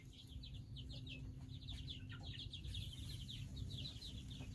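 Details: Domestic chicks from three groups that hatched weeks apart, a flock peeping continuously: shrill, short descending cheeps overlapping in dense rapid series, with a steady low hum and rumble beneath.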